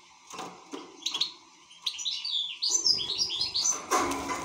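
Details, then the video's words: European goldfinch, sparse clicks and short chirps at first, then a fast run of bright twittering and jangling notes in the second half, with rustling and a burst of broad noise near the end. "حسون شغال"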